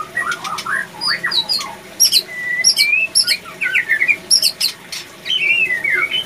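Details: Male white-rumped shama in breeding condition at a breeding facility, which sings more and reacts to other shamas. Quick jerky whistles, a long upslurred note and clusters of sharp high notes in an energetic string.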